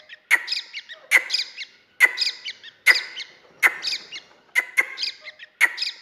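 A grey francolin chick gives high, harsh, buzzy chirps, one roughly every second, seven in a row, with nothing else heard.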